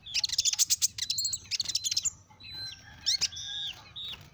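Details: Sunbird, called kolibri ninja, singing as a lure for small birds: a quick series of loud, piercing high chips, then thin drawn-out whistles and a sharp rising squeak, with a faint low hum beneath.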